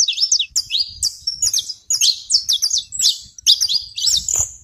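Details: Saffron finch on a small rural farm in Brazil, giving a lively song of bright, twittering chirps and quick downslurred notes. The phrases are packed closely together, with short gaps between bursts and little other sound.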